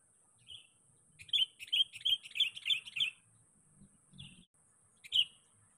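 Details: Sooty-headed bulbul, a lively lure bird calling to seek out a rival, used as bait to draw other bulbuls: a brisk run of six short chirpy notes about three a second, single notes before and after, over a steady high electronic whine.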